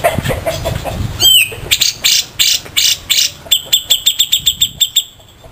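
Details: Grey-cheeked bulbul, local versus Sumatran, giving harsh rasping tutor phrases: a few broad scratchy bursts, then a fast evenly spaced run of sharp grating notes.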